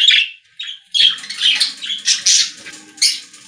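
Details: Budgerigars singing inside a pet store: short squeaky chirps, then a run of rapid, chattering warble notes rising and falling, a few sharp high peeps near the end.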